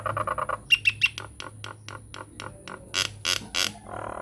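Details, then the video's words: Nias hill myna in energetic lure song meant to get silent mynas answering: a fast run of nasal, harmonic chuckles, three thin high whistles, then loud harsh broadband squawks in quick succession, ending in a low buzzy note. "SUARA PANCINGAN JALAK NIAS GACOR BIKIN JALAK MACET LANGSUNG NYAUT"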